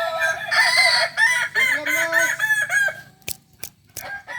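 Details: Kukuak balenggek roosters at a singing contest final in Ampang Kualo, Solok, West Sumatra, Sunday 8 September 2024: long, layered, wavering crows overlap for three seconds, followed by sharp clicks and snaps.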